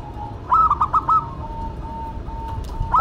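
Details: A local and a cemani zebra dove singing together: a short, loud run of four or five rapid ringing coo notes, followed by a soft, steady held tone.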